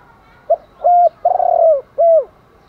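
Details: Morning spotted dove call meant to attract other doves, male and female birds: a single phrase of a clipped note, a level coo, a long vibrating coo and a closing downward coo, clear over quiet background.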